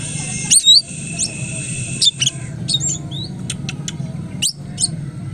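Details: Wild-caught Oriental magpie-robin, now tame, holds a high ringing whistle, then drops into quick sharp clicks and short slurred whistles, over a steady low hum.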